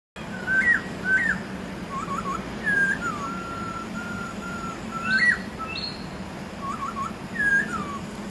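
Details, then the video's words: Wild masked laughingthrush singing: clear whistled phrases of rising and falling notes, some with a sharp upward flick, repeated at irregular intervals, over a steady low hum. "Burung poksay Hongkong di Alam"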